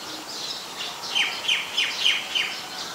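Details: Common myna in Ubon Ratchathani, Thailand, 15 March 2021, filmed on a Nikon P1000, giving a fast series of about five downslurred whistled notes, roughly three per second, against soft chirping and hiss.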